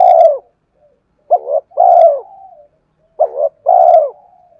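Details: Lure recording of spotted dove song: a long coo trailing off, then two more phrases, each a quick two-part coo followed by a sustained, mellow, descending note with a soft tail.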